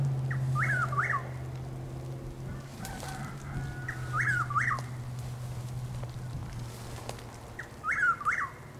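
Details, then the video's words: Chuck-will's-widow in Lake Placid, Florida, around 6:20 am on 12 April 2023, giving three rhythmic whistled phrases about three and a half seconds apart, each ending in two looping notes, with a persistent low hum and faint clatter. "Chuck-will’s-widow (Antrostomus carolinensis Gmelin 1789) making its call"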